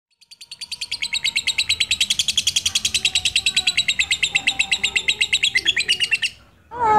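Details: Lutino lovebird with black eyes, kept as a pet, its calls used to lure and stimulate other lovebirds: a long, fast run of harsh, buzzy repeated chirps for about six seconds, then a brief sharp squeak.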